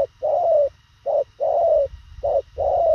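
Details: Spotted dove in the thổ khàng cooing style, delivering fast, short coos: three two-part phrases, each a brief low note followed by a longer, slightly falling hollow coo, repeated about once a second, with faint low rumble behind.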